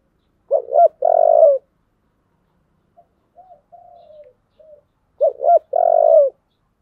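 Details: Spotted dove song of the 'giọng thổ' type: a double short note plus a sustained coo, faint falling coos in between, then the whole phrase repeated about five seconds later.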